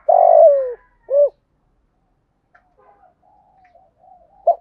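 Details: Decoy spotted dove calling to wild doves in the morning: a long falling coo and one short rounded note open the recording, then only faint soft sounds and a brief final note.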